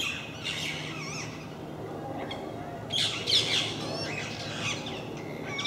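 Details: Parakeets in a group at MK park, a regular visiting flock: scattered shrill squawks and chattering calls, a louder cluster of screeches near the middle, over a low background drone.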